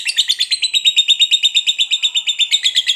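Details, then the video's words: Lovebird of fighter type in long ngekek chatter: a continuous high, buzzy rattle of about eight pulses per second, steady and unbroken throughout, with no other sounds. "SUARA BURUNG LOVEBIRD NGEKEK PANJANG NGOTOT TAMPIL FIGHTER"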